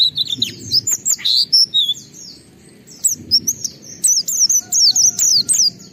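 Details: Oriental white-eye in full ngalas song used to provoke other white-eyes into singing: sharp high whistled slurs and chips in short bursts, separated by brief gaps, with faint low background rumble.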